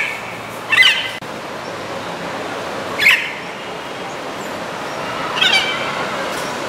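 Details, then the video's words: Three rough, grating squawks about two seconds apart from Blue-and-yellow macaws in Los Palos Grandes, a city neighbourhood of Caracas, Venezuela, recorded 21 July 2012, over a constant hiss of city noise. "Blue-and-Yellow Macaws of Venezuela"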